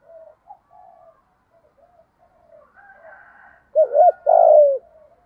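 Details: Decoy spotted dove singing in the 'thổ' voice to lure wild doves into answering. Faint distant cooing at first, then a loud close phrase near the end: a hollow double coo followed by a long downward-gliding note.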